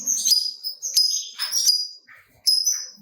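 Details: Lovebird, a gacor singer used to stimulate other lovebirds, giving sharp thin whistled chirps and short squeaks in quick succession.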